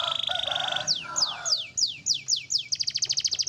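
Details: Black-and-red canary, song for tutoring caged birds, opening with a held buzzy tone, then a string of clear descending whistled notes and a quick rattling trill, low hum behind.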